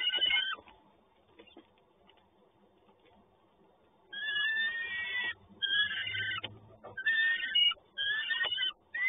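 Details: Peregrine falcon at Toruń, Poland, 30 May 2019: after a quiet stretch with faint low rumble, a series of harsh, grating, repeated calls in quick bursts, each under a second, continuing to the end.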